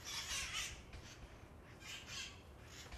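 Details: Wild parrots from an established San Francisco colony calling on Telegraph Hill by Coit Tower: a rapid pair of grating, broadband screeches, a short pause, then more raspy squawks overlapping.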